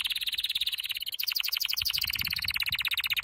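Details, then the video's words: Canary training song: rapid, even trill of high chirping pulses that switches partway through to a faster, higher rolling trill, each tour repeated many times per second. "Your canary will NEVER STOP SINGING With this training song"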